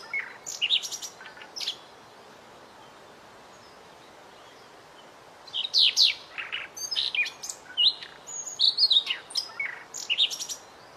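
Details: Small white-rumped shama song meant as a tutor recording for cage birds. Short high chirps and whistles open, a pause of some seconds follows, then a long, rich run of sharp whistled, trilled and chattering notes over light background hiss.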